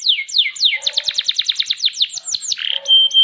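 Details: Champion canary singing a rapid series of high, descending whistled sweeps repeated about three per second, then brief trills and a sustained steady whistle near the end.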